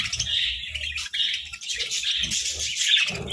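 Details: Sunbathing budgerigars giving short, bright warbled phrases and chirps, mixed with soft low knocking and shuffling sounds.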